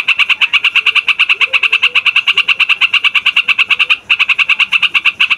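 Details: Yellow-vented bulbul (trucukan) singing a long rolling song for luring and tutoring young birds: rapid, evenly spaced chirps run on without pause for about four seconds, stop briefly, then resume.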